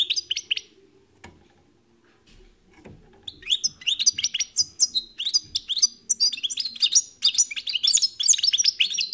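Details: European goldfinch song: a few short twitters, a quiet gap with soft knocks, then a sustained fast stream of high tinkling, trilled notes building toward the end.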